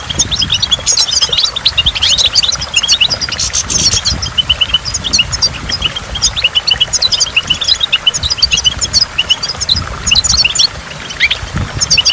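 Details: Extended goldfinch singing by a waterfall: dense, tinkling twitters and fast chirp runs, rising and falling in intensity, layered over steady rushing water and dripping drops.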